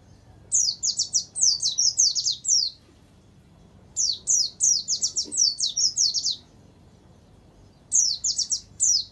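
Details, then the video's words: Warbling white-eye song with canary-phrase inserts, made for training captive birds: three bursts of rapid, high, sharply downslurred whistled notes strung into chattering runs, separated by brief pauses, faint hum beneath. "Suara Burung Pleci Gacor Dor || Terapi Masteran Pleci Isian Tembakan Kenari"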